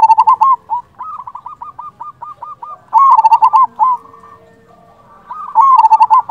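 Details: Local zebra dove cooing as a lure to draw other doves into answering: loud, rhythmic rolling coos in three bursts of rapid repeated notes, separated by short pauses, with a faint steady hum in the background.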